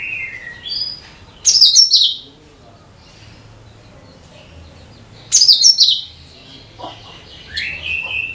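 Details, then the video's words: Cucak kinoi singing to lure other birds: two loud bursts of bright chattering notes about four seconds apart, separated by soft whistles, ending in a rising whistled note. "SUARA CUCAK KINOI BUAT PANCINGAN SEGALA JENIS BURUNG"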